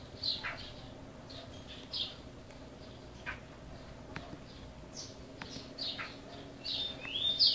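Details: Caged chopi blackbird, a bird native to Brazil, singing: scattered short high chirps and sharp downslurred notes spread across several seconds, with a louder cluster of bright notes near the end over a quiet steady background hum.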